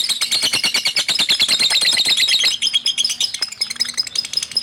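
A lovebird pours out a fast, shrill chatter of high, buzzy chirps, several each second. The burst slows and thins toward the end, with a faint hum beneath.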